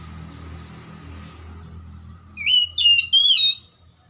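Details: Oriental magpie-robin song meant to trigger silent or lazy magpie-robins: after low rumbling noise, three loud rising and wavering whistled phrases follow in quick succession.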